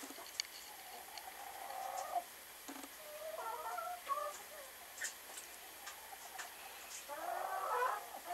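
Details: Speckled Sussex hen laying an egg gives scattered, wavering, nasal calls and short broken clucks, building toward a louder harmonic burst near the end, with faint clicks and rustling between.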